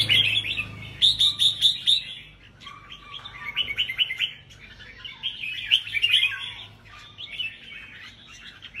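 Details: Red-whiskered bulbuls in cages singing against each other at a competition. Loud, rapid bursts of clear whistled notes repeat in quick rhythmic groups, then give way to softer overlapping chatter and more strong whistled runs.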